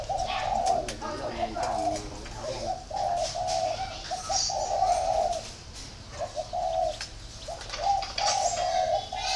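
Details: Low, breathy coos from a spotted dove in phrases of one to three notes with short pauses between, alongside scattered clicks and faint high twitters.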